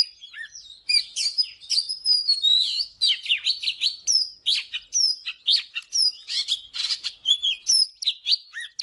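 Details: An Oriental magpie-robin gives its morning song for training birds: a continuous, lively medley of clear rising and falling whistles mixed with harsh scratchy notes, delivered without pause.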